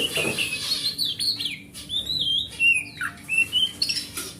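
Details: Oriental magpie-robin, a forest bird's song used to coax a silent magpie-robin into singing: varied clear whistles and slurred notes, some rising and some falling, in quick short phrases with brief pauses, over a faint steady hum.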